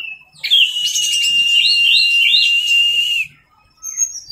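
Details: Orange-headed thrush kept in a cage singing teler-style tutor song: a long, clear whistle of nearly three seconds laced with quick overlaid trills, then a pause and faint notes.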